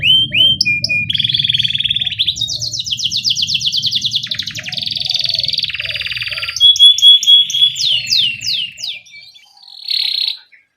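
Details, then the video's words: Rolling canary song used as a tutor recording so young canaries start singing soon: chirps, then long rapid pulsed trills shifting pitch, clear whistled sweeps, and a closing buzzy burst, low hum underneath fading away. "Pancingan Kenari Gacor NGEROL Cuit CUIT Rekomendasi buat MASTERAN Kenari PAUD agar Cepat BUNYI"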